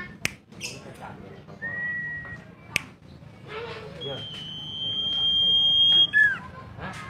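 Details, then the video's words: Mountain tailorbird (sirdum) song, loud open ngeplong style, for tutoring pet songbirds: a brief mid-pitched whistle, then a long high sustained whistled note and a short drop, among scattered clicks and background noise. "BURUNG SIRDUM/CIPO/Sirtu BERSUARA NGEPLONG BOCOR DURASI PANJANG"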